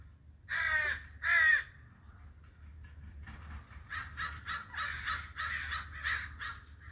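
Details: Two loud, croaking caws from a crow open the recording, followed after a pause by a quicker string of fainter, buzzy caws.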